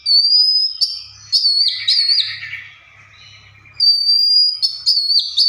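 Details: Mimicking other birds, an Oriental magpie-robin gives long high steady whistles broken by warbled, twisting notes, then a quieter raspy passage before the high whistles return. A faint low hum sits underneath.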